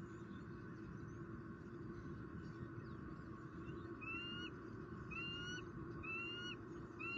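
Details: Bald eagle pair at their nest in Southwest Florida on 12 November 2019, on the evening the first egg of the season was laid and a fish was brought in. The second half carries a run of thin, rising whistled chirps, about one per second, over a steady low rumble of wind.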